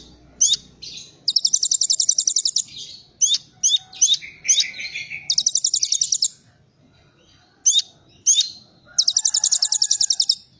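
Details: Kolibri Ninja sings a Cililin-filled song: crisp high chirps alternating with long bursts of rapid, metallic high trills. A brief lower buzzy phrase comes mid-way, and the background is quiet.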